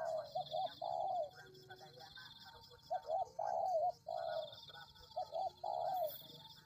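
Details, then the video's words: Tekukur (spotted dove) lure recording for attracting wild doves. Three soft cooing phrases, each made of quick short notes and a longer falling coo, are spread through the passage. A constant shrill hum sounds in the background. "Pikat Tekukur"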